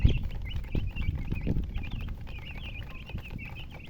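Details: Chirping chicks of domestic chicken with a hen: a continuous stream of high, piercing peeps, each a quick rising-falling whistle, overlapping from several birds, with low thumps and handling noise beneath.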